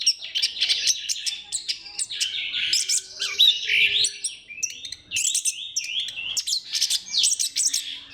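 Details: Lure song of an orange-headed thrush, used to prompt other thrushes into singing: a dense, fast medley of chirps, trills and sweeping whistles, almost continuous throughout with brief pauses.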